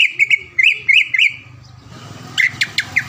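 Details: Greater green leafbird, a caged bird that often takes prizes near Palembang in Indonesia, repeats paired chirpy whistles in quick rhythm, pauses amid low hum, then gives a few sharp clicking chips.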